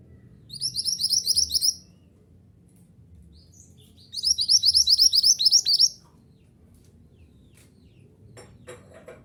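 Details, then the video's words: Mantenan gunung singing, a recording meant to get caged birds singing: two fast runs of sharp, high, rising chirps at about four per second, separated by a pause of over two seconds, followed by faint clicks. "Terapi Suara Mantenan Gunung Agar Cepat Gacor"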